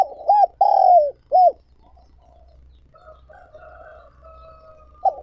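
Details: Spotted dove decoy calling to lure wild doves: a short, hollow three-note coo with a long middle note, followed by faint quieter cooing and a low hum.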